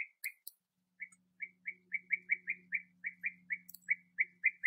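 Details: Bee-eaters at the last nest tunnel where young are being fed, sunny 21°C, 8 August 2017; regular rolling calls repeat several times a second over a low steady hum, with a few thin high squeaks.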